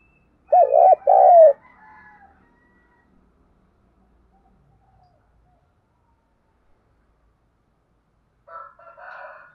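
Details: Decoy spotted dove cooing in the morning to draw wild doves for trapping: a short phrase of three low, hooting coo notes, then a long silence and a faint rough call at the end.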